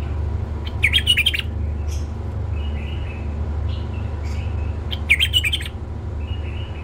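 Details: A tame male bulbul gives a bright, rapid warbled phrase, then repeats a similar phrase four seconds later; faint drawn-out whistles fill the gap, and a constant low mechanical hum runs beneath.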